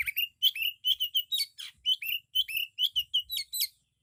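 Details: White-rumped shama song, loud and full of varied phrases: a fast run of short whistled notes near the upper-middle range, many with sharp high overtones, about two per second with uneven spacing, plus a brief descending buzzy sweep.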